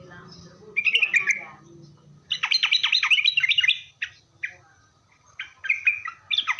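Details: Sooty-headed bulbul in persistent lure song for drawing answers from other bulbuls: a short twittering phrase, then a long, rapid chatter of bright, descending notes. Sparse single notes and another short burst follow.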